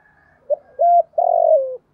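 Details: Spotted dove calling to lure in wild doves: a soft short coo, then a level hooting coo, then a long drawn coo that slides slightly downward. The phrase is clean with no background sounds.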